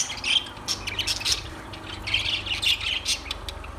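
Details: Lovebirds chattering in shrill, high chirps and squeaks, clustered in two bursts with a short lull between, over a steady low hum.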